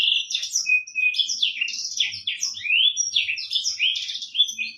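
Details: Black-throated canary song from a tutor recording for training birds. Bright, tumbling phrases of high twitters and quick slurred whistles flow nonstop, mixing short trills with sweet rising notes.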